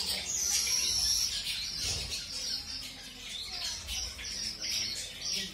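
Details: Pairing of mutation-coloured zebra finches introduced to new mates; busy, quick high chirps and squeaks in rapid succession, opening with a drawn-out thin whistle, plus a soft low thump midway.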